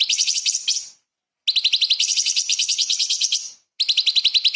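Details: Light-vented bulbul (cucak cungkok) in highly vocal form, giving 'tembakan' bursts filled with small-bird sounds for shama and magpie-robin tutoring; three rapid shrill chattering trills with short silent breaks.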